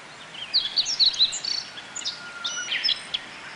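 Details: Japanese white-eyes gathered at bottlebrush flowers sip nectar in a Kobe botanical garden, Japan, on 14 June 2018, between rainy-season showers. Bright, very high, thin notes tumble in a busy run, followed by softer scattered chirps.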